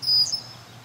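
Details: Near her nest in a yard, a female red-winged blackbird gives a single brief, piercing high whistle, slightly wavering, over a low background hum.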